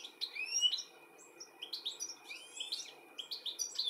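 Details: European goldfinch recorded in the UK in July 2017, calling as it searches for its young; rapid liquid twittering and upswept chirps in dense bursts, over a faint constant background hum.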